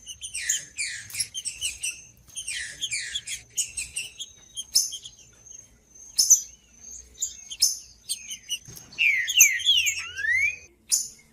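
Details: Green-winged saltator song used to warm up quiet, unmotivated saltators: bursts of high chirping notes, then loud slurred whistles sweeping down near the end, over a steady thin high tone.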